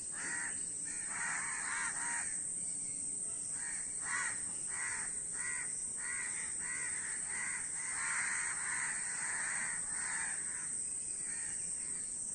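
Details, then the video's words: Numerous crows caw rapidly and overlap, about ninety harsh calls a minute in an uneven, jostling stream, accompanied by a steady high hiss. "অনেক কাক Crow Bird's Video | কাকের ভিডিও ও কাকের ডাক।"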